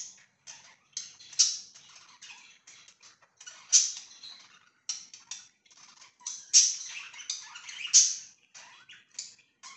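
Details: Pet budgies, 24 September 2024, keep up a continuous scratchy warble with rapid clicks and chirps. Louder bright peaks rise every couple of seconds over a quiet indoor background.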